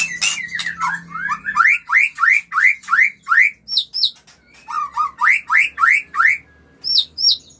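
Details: Mating white-rumped shama, recorded to stimulate breeding. Loud rising whistles repeat about three per second in two series, mixed with high hooked notes and a brief low buzz at the start.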